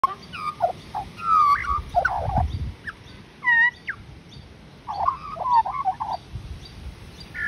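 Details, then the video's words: An Australian magpie sings rich, fluting, warbled phrases that slide up and down, with short gurgling runs and brief pauses between bursts, in Australia. "AMAZING SINGING - The Australian Magpie's Stunning Song"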